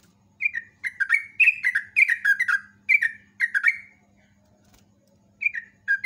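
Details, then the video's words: Yellow-vented bulbul singing in the morning, a long rapid 'ropel' style song used as a lure: bubbly, slurred whistled notes in quick bursts of three to five, a pause, then the phrase resumes. A low steady hum sits beneath. "LIVE PAGI JOGJOG TRUCUK NGEROPEL NEMBAK NGALAS"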